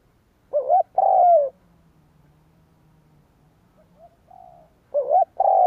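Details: Spotted dove cooing, a recording used to lure wild doves: a short doubled note runs into a long, slightly falling coo. Softer, shorter coos follow, and a new loud phrase starts near the end. Quiet background.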